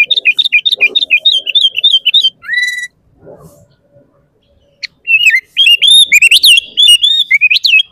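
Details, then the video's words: Sooty-headed bulbul in energetic song, used to provoke caged and wild bulbuls: quick repeated chirps, a drawn nasal note and a short gap, then loud rising and falling whistled chirps. "SUARA BURUNG KUTILANG GACOR Paling Ampuh untuk Pancingan dan Masteran Bikin Kutilang Ribut"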